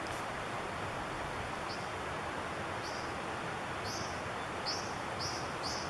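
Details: Brown dipper in midwinter during nesting, around newly fledged young, giving short, sharp, high notes, about six in the last four seconds and growing louder, over the steady roar of rushing water.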